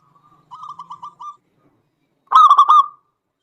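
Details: Local zebra dove singing actively, a lure to provoke other doves into song: a soft run of even staccato coos near one pitch, then after a pause a louder, rougher burst of rapid rolled coos.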